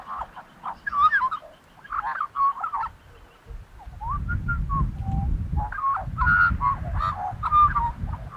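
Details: Australian magpie giving a string of fluting, warbled notes that bend up and down, with pauses between phrases; a low rumbling noise underlies the second half.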